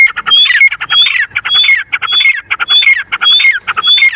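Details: Grey francolin, four wild birds (teetar), calling in a steady loud rhythm: grating squawky notes with a high whistled upslur, grouped into phrases repeated roughly every half second, with the callers overlapping throughout.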